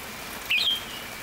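A red-whiskered bulbul gives one brief, bright whistled phrase that rises and then levels off, over the steady hiss of rain.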